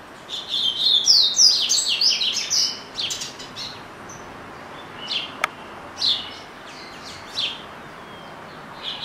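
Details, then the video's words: Captive double-collared seedeater, a family pet, opening with a rapid run of sharp, sweet whistles and slurs, then breaking into scattered separate high chips spaced a second or two apart. "Coleiro Bravo - Canta Muito"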